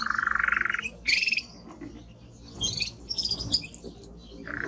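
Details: Timbrado canary singing strongly: a low buzzy rolled trill held for nearly a second, then scattered high chirps and notes, ending on another rolled trill.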